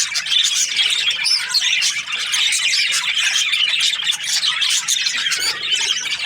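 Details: Budgerigar chirping described as happy: thick, continuous chattering of harsh squawks and bright tweets, overlapping and high-pitched, with a short lower grating note near the end.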